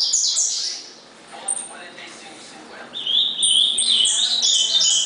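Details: Ultramarine grosbeak (azulão) of the gritão style, recorded 19 August 2014, singing high, warbled whistled phrases that slur up and down, one burst opening the clip and a longer run after a quiet gap.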